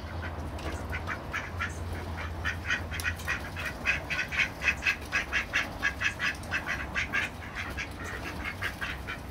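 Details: Ducks in a fight, filmed with a Panasonic SD9; a long run of loud, evenly spaced quacks, about two per second, swells and then fades over a low droning background.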